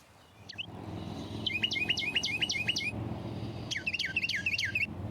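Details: Carolina Wren singing from a tree in early-spring woodland in New York's Hudson River Valley: two loud bursts of quick, rolling whistled phrases, each repeated about six times, over a low rumble; the territorial bird was being lured with song playback.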